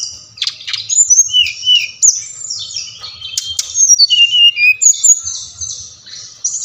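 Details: Brown-chested jungle flycatcher song, used to get captive birds singing: a rapid, varied stream of high sweet whistles, trills and sharp clicks with short rising and falling slurs, continuing busily throughout.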